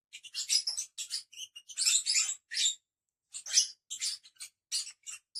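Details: A group of five caged pet lovebirds calling: dense, piercing chirps and scratchy squeaks crowd together, then a brief silence before more sharp, overlapping notes.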